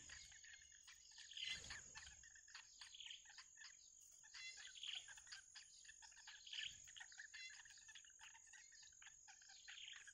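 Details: Wild bittern nestlings waiting for food from the mother give repeated high, scratchy chirp bursts about once a second. A steady insect whine runs throughout, with a few low thumps.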